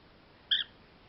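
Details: Pet cockatiel kept indoors, having a little freak-out while being settled in its cage at bedtime; one short, harsh, high squawk with a bright double band, quiet room around it.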